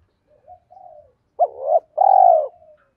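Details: A spotted dove coos as a lure for wild males, 'thổ pha thúc gù' style: faint low lead-in coos, then a loud two-part coo and a long, strongly pulsed rolling note that fades out.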